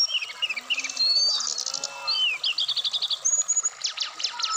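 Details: Varied song of a caged Black-throated laughingthrush from Indonesia: sliding whistles, tight runs of repeated high chips around the middle, then sharp descending strokes, delivered without pause.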